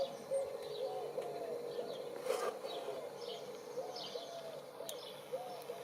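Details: Common wood pigeon cooing close up in a garden in spring, 23 April 2019: soft, low, hollow coos run in a steady rolling series from start to finish, with thin high chirps of small birds in the background.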